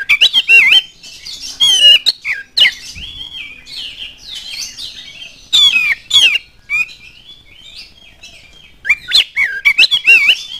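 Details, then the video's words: Oriental magpie-robin singing as a lure for other magpie-robins: clusters of loud, rapid whistled and chattering notes alternating with softer, wavering warbles and short quiet gaps. "KACER ANDA LANGSUNG NYAUT NGOBRA IKUT GACOR DENGAN PANCINGAN KACER GACOR INI"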